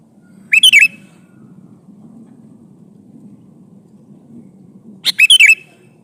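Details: Male sooty-headed bulbul calling a female: two short, bubbly whistled phrases of three to four quick liquid notes, about four and a half seconds apart, over a faint low hum.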